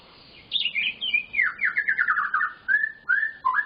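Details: A white-rumped shama sings a rich 'full isian' phrase. A high twittering start descends into a fast run of buzzy slurred notes, followed by clear whistles and a final low, dropping note.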